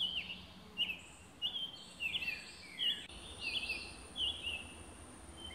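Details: Summer tanager song recorded in Alabama, a series of clear slurred whistled phrases spaced by brief pauses, each a couple of rising and dipping notes, with a constant high-pitched insect hum behind.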